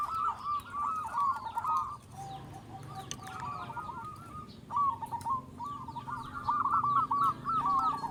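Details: Local zebra dove recorded as a lure to prompt other zebra doves to sing: quick, rippling cooing notes in several bursts over a steady low hum and background hiss.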